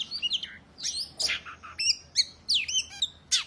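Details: Challenging song of an Oriental magpie-robin aimed at rival males, which answer by spreading their tails: varied whistles, a few harsh rasping notes and steep downslurs in short, jerky phrases.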